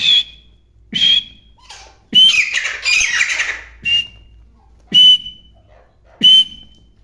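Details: Black francolin calling loudly: short harsh notes, each with a thin whistled tone, repeated about once a second, with a longer rasping burst partway through; quiet between notes.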